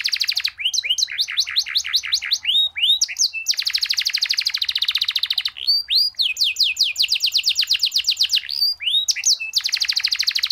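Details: Energetic canary song in the long-roll style with unique phrasing, for tutoring: alternating bursts of swooping whistled notes and long, very fast, even trills, repeated over and over without pause.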